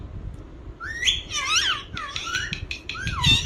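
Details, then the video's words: Talking ringneck parakeet making scratchy, high chattering notes with swooping rises and falls, accompanied by low background noise. "talking parrot"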